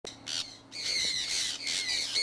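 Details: Conures from a kept flock out flying in Iowa in early spring 2003 give harsh, raspy squawks. A short call comes first, then a long run of loud, grating screeches, each about a quarter second long, with little pause between them.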